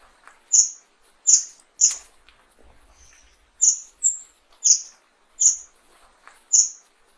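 Fire-tailed myzornis giving very high, thin, sharp notes, each with a quick downward flick, repeated about once a second in an uneven series.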